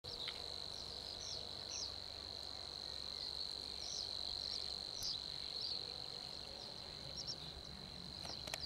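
Savi's warbler reels a steady, fast, insect-like buzz without a break, while other birds add short chirps over it.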